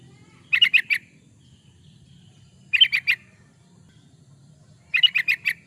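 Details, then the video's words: Yellow-vented bulbul in full, lively song, recorded as a lure and master for training birds: three short bursts of four to five bubbly, chattering notes, spaced about two seconds apart, over a low background hum. "Suara burung trucukan, pancingan burung trucukan suara gacor"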